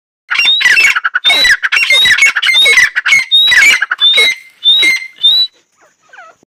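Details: Female painted francolin calling: a series of harsh, loud, grating bursts, each laced with high thin whistled overtones, repeated rapidly about every half second for five seconds, then short faint chirps as it stops.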